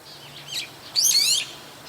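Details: A brown-eared bulbul perched on a power line in the evening gives a brief high chirp, then a loud, shrill, harsh call of about half a second with rasping overtones, against a quiet background.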